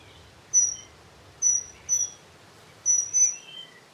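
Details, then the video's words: Dunnock (Prunella modularis) calling with thin, high, sharp notes, some single and some paired, plus fainter lower squeaks, repeated at irregular intervals over steady hiss. "Vögel und ihre Stimmen - Heckenbraunelle"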